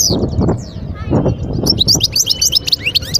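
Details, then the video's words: Wild European goldfinch singing near Skikda, Algeria, recorded in 2022: high twittering notes and quick buzzy trills, sparse at first and then denser, over low rumbling background noise. "صوت الحسون البري"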